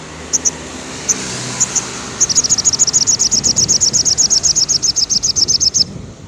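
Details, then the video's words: Sogon singing in the afternoon, used to stimulate captive birds that are off form: a few sharp high notes, then a fast, even trill of very high chips lasting about four seconds, with faint background hiss. "suara sogon syahdu sore hari"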